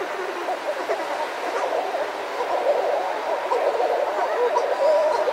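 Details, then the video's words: A pair of Buller's shearwaters give close wavering, moaning calls, with other shearwaters calling outside the burrow behind them and a steady rush of surf in the distance. "Buller's Shearwater. CU Calls From A Pair. Other Birds Outside Burrow."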